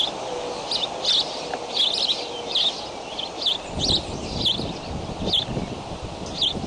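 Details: Bald eaglets at the Decorah nest, filmed by a nest camera on May 20 at 7:28 am while flap hopping; high thin chirps repeat roughly every half second over a steady hiss, with a low rumble of movement in the second half.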